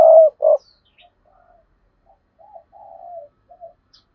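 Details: Spotted dove calling wild rivals in to fight: the end of a loud coo phrase, two strong notes, then a quiet run of soft, drawn-out murmuring coos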